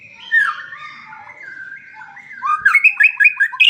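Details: White-rumped shama song: a drawn-out, wavering whistle, then a burst of quick, bright, ringing notes repeated about every quarter second.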